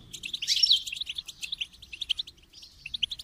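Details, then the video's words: Goldfinch song: a rapid, high twittering run of short chirps and tinkling notes, with a brighter burst near the start, then steady chattering trills with brief pauses. "Motivating Song of the Goldfinch"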